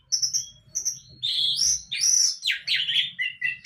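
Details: An immature orange-headed thrush practising the 'mabuk' song. It opens with thin, high, steady whistles, then moves into a quick jumble of scratchy, warbled phrases that slide up and down. A faint low hum sits in the background.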